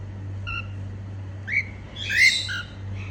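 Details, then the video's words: Female cockatiel making happy sounds, a faint short chirp followed by a rising whistle and a louder burst of harsh chirping, low background hum. "Female cockatiel singing & making happy sounds"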